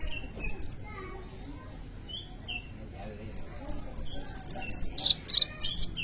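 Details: Sunbird (kolibri ninja) in full song as a lure or tutor for training birds: a few thin high notes, then a fast rattling run of sharp, very high chips near the end.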